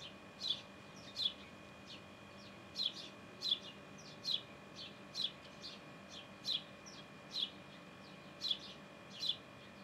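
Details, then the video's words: Sparrow in the nest chirping repeatedly: brisk, high, clipped notes, sometimes doubled, coming about once a second against a faint continuous hum. "Gorrión en el nido"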